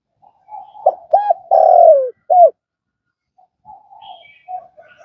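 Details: Spotted dove coo, used for training newly caught doves: faint low lead-in, two hooked notes, a long falling coo and a short end note, followed by soft quiet murmuring notes.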